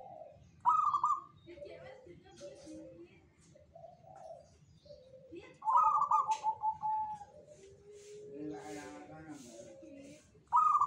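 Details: Repeated zebra dove song from a local Jogoboyo perkutut: stuttering bright coo bursts about every five seconds, soft lower cooing between, with a brief voice-like murmur near the end.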